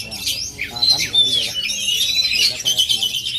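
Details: Aceh-native oriental magpie-robin singing loud, sharp whistled phrases that slur up and down, mixed with fast scratchy chatter, while people talk quietly underneath.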